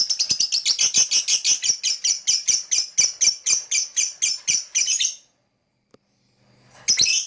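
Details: Lovebird song of rapid, rhythmic chirps, about four per second for five seconds, each harsh and buzzy, then a pause and a final loud chirp burst.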